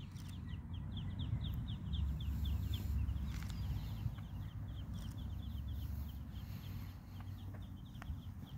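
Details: Muscovy duck (Cairina moschata), duckling peeps.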